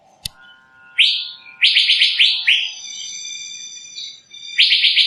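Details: Asian fairy-bluebird producing clustered upswept whistles in rapid groups, with steady sustained tones running underneath and a sharp click at the start.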